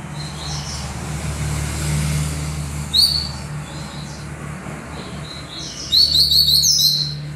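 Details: Double-collared seedeater giving short high twittering phrases, the last a rapid run of repeated sharp notes, partly masked by constant traffic rumble.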